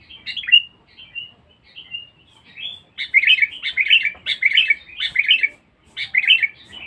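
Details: Lively, fierce sooty-headed bulbul used for luring: a few scattered slurred whistles, then from about three seconds a dense, loud stream of rich, bubbly chattering phrases with brief pauses between bursts.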